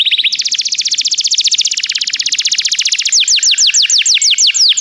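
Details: Canary song to stimulate a canary's singing: a rapid, even trill of repeated notes lasting about three seconds, shifting into slower, louder downward-swept notes at roughly five per second.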